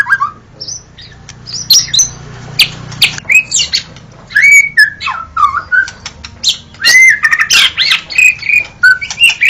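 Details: White-rumped shama song of scattered sharp chips and whistled slurs, building to quick bursts of clear rising and falling notes, with a faint low hum beneath.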